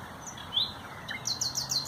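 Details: Common nightingale singing on 30 April 2021, first scattered single whistled notes and a short upward slur, then a fast series of high, repeated descending notes near the end.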